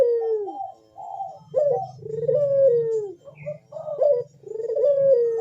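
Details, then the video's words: Dove (puter) giving loud bekur coos in the manggung style as a lure to make other doves call: three long, mellow, falling coos roughly every two seconds, separated by brief rising notes, over a steady low background hum. "Burung puter Rajanya bikin gacor‼️suara Bekur besar super tajam manggung merdu mengundang bunyi"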